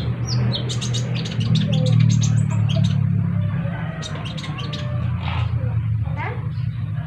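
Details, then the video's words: Sunbird, locally called kolibri ninja, chirping while another sunbird answers: a fast burst of sharp, very high ticking chirps through the first two seconds, then scattered high notes, over a steady low hum. "KICAU KOLIBRI NINJA burung kolibri lain ikut nyaut"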